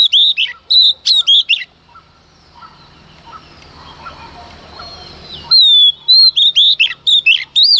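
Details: Strong early-morning song of a female Oriental magpie-robin aimed at provoking males. Clusters of loud, sharp whistles with downward slides, then a lull with faint chirping and rustle, then another lively run of whistled notes.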